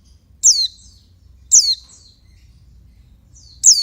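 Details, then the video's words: Oriental white-eye hen giving calls meant to rouse males. Three thin, piercing chirps each slide steeply downward, about a second apart, with a soft low rumble in the background. "Suara burung pleci betina untuk ngecas jantan"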